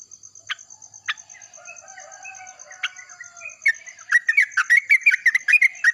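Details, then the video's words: Yellow-vented bulbul answering another bulbul in the morning: a few scattered sharp notes and soft warbling first, then a loud burst of quick bubbly chirps near the end. "trucuk nyambut pagi , trucuk lain langsung saut sautan keras!!"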